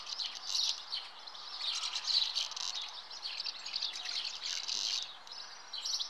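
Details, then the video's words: Continuous high twittering and chirping of common house martins at the nest, dense overlapping calls with a few louder peaks. "Common house martin (Delichon urbicum) - Nest"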